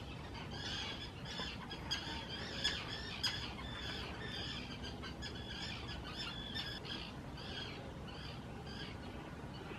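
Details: Common terns in spring 2018 at Hula Nature Reserve, Israel, calling noisily in courtship while claiming favoured nesting spots on purpose-built islands; a steady stream of harsh, overlapping calls repeats rapidly from several birds.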